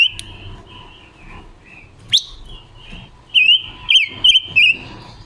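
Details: Female Red-billed leiothrix decoy, recorded October 2021, singing a wild-style song meant to lure and stimulate males; soft warbling is broken by one sharp note, then a loud, quick run of four whistled slurs.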